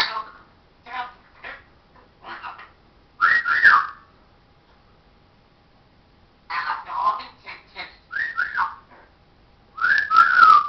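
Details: Talking parrot alternates quick babbled speech-like syllables with loud arched whistled phrases that rise and drop, delivered in several separate bursts with silent gaps between.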